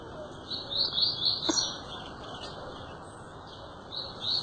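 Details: Faint, rapid warbling phrases of an azulão rise over a steady background hiss, fading out in the middle and returning briefly at the end.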